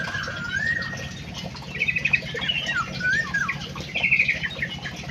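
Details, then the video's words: Munia song of short gliding whistles followed by two bursts of quick buzzy trill, with a continuous low hum in the background. "EMPRIT KJ ISTIMEWAH MENGGEMASKAN"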